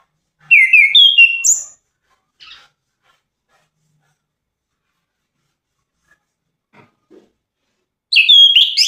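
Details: Orange-headed thrush singing melodiously: a loud burst of clear whistled, slurred notes lasting about a second, a faint short note, then near silence for five seconds before a second rich whistled phrase begins near the end.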